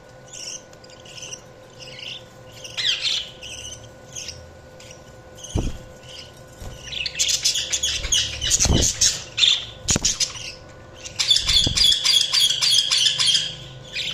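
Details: Budgerigars chirping: soft, spaced warbles at first, then dense rapid high chirps and squeaky twitters building up, broken by a few sharp knocks, over a steady faint hum.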